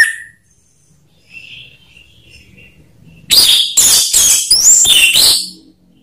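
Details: Orange-headed thrush song used as a lure: faint twittering at first, then a loud run of about seven harsh, rich notes with sweeping whistles, delivered in quick succession over two seconds.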